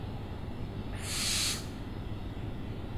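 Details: One harsh, noisy owl screech lasting about half a second, rising out of and fading back into a faint low hum.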